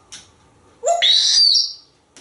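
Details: Male pet African grey parrot kept in a home in Texas, hatched in 1997 and known as a talkative bird, gives one loud squawk that slides upward into a bright, whistled tone. A faint click sounds before it and another after.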